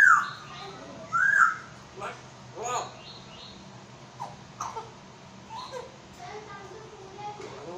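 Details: An African grey parrot in Karachi, Pakistan, mimics Urdu speech, saying Assalamualaikum and religious phrases: short, word-like bursts with clear whistled notes over several seconds in a quiet room.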